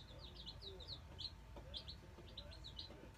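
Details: Peeps from a batch of nine Black Australorp chicks newly placed in a brooder: brief high cheeps in small groups, against a background hum and faint knocking.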